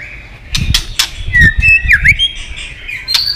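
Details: Female white-rumped shama 'tạch líu' voice, played to excite males into fighting: a few dry clicks, then a clear whistle swooping down and back up, with soft thumps below.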